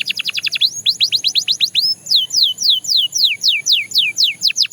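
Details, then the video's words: Belgian canary song made of repeated downward-sweeping whistles, quick at first and then slowing to about three per second, each note sliding from high to mid pitch, clear and loud with no other sounds. "The Most Effective Canary Singing Sound – Belgian Canary Edition"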